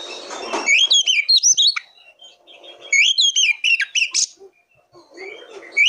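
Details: Oriental magpie-robin, a territorial fighter bird kept to spur other magpie-robins into singing, giving loud, clear whistled phrases in rapid sweeping notes, two bursts split by a quiet gap, then a fresh phrase beginning.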